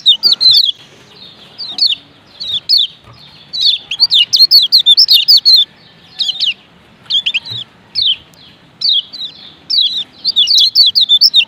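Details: Male lemon-bellied white-eye of Lombok, 'ciak ciak' call to rouse other white-eyes: irregular sharp chirps, grouped in short bursts of two to six notes with brief gaps, steady across the whole stretch.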